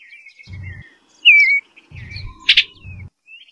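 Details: One loud, sweet slurred note from an Eastern bluebird, with faint twitters around it, a sharp click and intermittent low rumbling.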